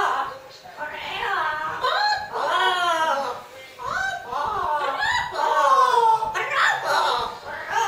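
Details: Two Amazon parrots sing the Greek children's song "Ήταν ένα μικρό καράβι" in voice-like, wavering phrases sliding up and down, with chuckling, laugh-like notes between lines.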